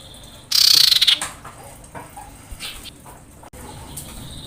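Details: Breeding-condition female common iora calling to males with one loud, buzzy rattle of about half a second that falls slightly in pitch, then faint softer notes and a quiet background.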